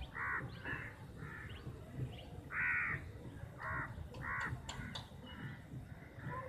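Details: Crows fighting over a chapati, a flock caught in the squabble: harsh, nasal caws in short bursts, several voices overlapping at irregular intervals, with faint clicks and background hum.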